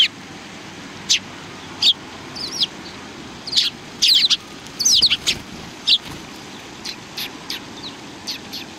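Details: A group of sparrows, among them a pair, chatter with irregular sharp high chirps and short clustered bursts, some notes sliding downward, repeated at uneven intervals over a faint low rumble.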